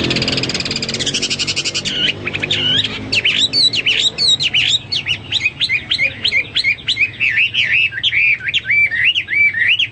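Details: Lively Hwamei song used for training pet birds: after a noisy rushing start, a long run of varied whistled loops and slurred notes follows in quick succession, bright and rich.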